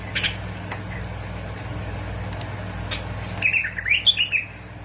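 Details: Bulbul from Basra and Fao, Iraq, song played to get bulbuls singing: after a quiet start, a lively phrase of rising and falling chirped notes near the end, with a steady low hum behind.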